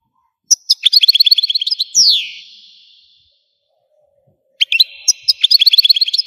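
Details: Algerian goldfinch singing: a quick run of high repeated twitters ending in a descending slur, a pause of about two seconds, then another fast twittering phrase.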